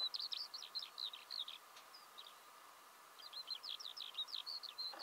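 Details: A Eurasian skylark in Belarus in March 2016, already singing in early spring, pours out quick, high, chirruping warbles in two long runs with a short break between, over a faint, steady background hum.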